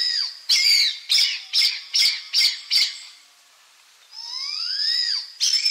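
Blood pheasant: six harsh, rasping squawks in quick succession, then a long, thin squeal that rises steadily, and one more rasp.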